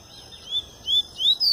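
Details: Pure tui-tui song from a double-collared seedeater emerging from molt: three high, upslurred whistles, growing louder and longer, each separated by a brief pause over a quiet background.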